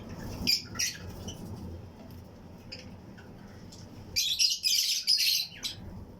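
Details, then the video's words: Fischer's and lutino lovebirds kept as breeding pairs in a flight colony aviary; a few shrill chirps early, then a loud dense burst of high squawky chatter after four seconds. "Fischers & Lutino Colony Chirping Sounds"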